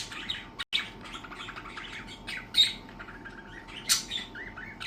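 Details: Several pet budgerigars chirp together in busy, overlapping high chirps and short scratchy warbles.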